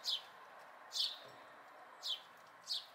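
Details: Four clear, separate chirps from a house sparrow fledgling, May 2020, each a sharp downward slur, spaced about a second apart over quiet background hiss.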